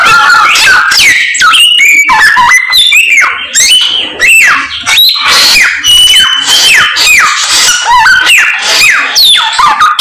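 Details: Samyong bird, described as singing energetically and very insistently, delivers a loud run of varied whistled phrases, many slurring downward, tumbling quickly one after another with hardly a pause.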